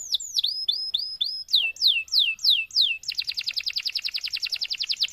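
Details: Canary song, a long training song meant to prompt other canaries to sing: series of high, down-slurred whistled notes repeated about three per second, then a fast, dense trill of rapid clicks.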